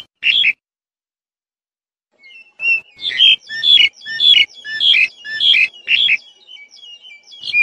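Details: A single note from a black-collared starling, a silence, then a steady series of about eight loud, rasping calls mixed with sharp whistled notes, delivered roughly twice per second.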